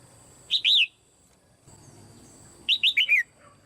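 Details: Caged female red-whiskered bulbul, a call meant to stimulate strong singing in other birds. A short two-note whistled slur comes first, then after a pause a brisk four-note descending whistled phrase, over a quiet background hum.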